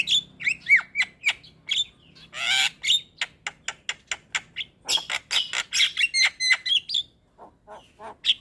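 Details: Javan myna singing to stimulate a reluctant bird: rapid, varied chatter mixing clear whistles, clicks and raspy squawks at about four notes per second, followed by a short pause and a last high whistle.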